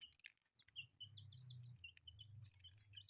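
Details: Newly hatched colourful chicks give scattered high, downward peeps over a steady low motor-like hum, with a few sharp clicks.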